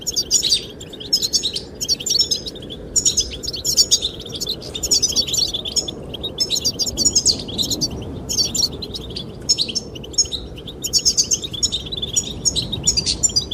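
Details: Goldfinches singing to attract the female: dense, high twittering phrases of quick chirps and buzzy trills in bursts every second or two, over a steady low rush of wind.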